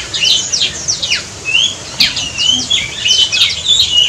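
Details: Black-and-crimson Oriole in an aviary: rapid sharp downward chirps in short volleys, broken by brief rising whistled slurs, the volleys returning roughly every second.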